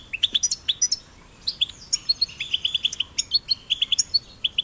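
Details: European goldfinch chicks, possibly caged, played to stimulate singing: rapid high twittering of short chirps and trills, with brief pauses between bursts and a few clear whistled notes.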